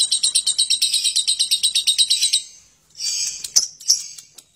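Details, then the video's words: Lovebird giving its harsh, long ngekek chatter: a fast run of rasping pulses, about six a second, for over two seconds. A pause follows, then a few sharp, shrill chirps and clicks. "Suara Burung lovebird ngekek kasar dan panjang"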